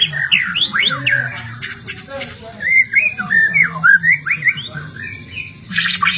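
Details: White-rumped shama delivering fluid whistled song, with looping, up-and-down slurred notes strung together, a brief pause, then a burst of harsh chatter at the end, over low humming and murmuring voices.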